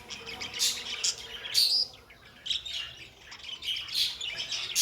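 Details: Budgerigars kept as pets chirp in a few loud, bright, high-pitched bursts with a short rising whistled note, separated by quieter moments of soft chatter.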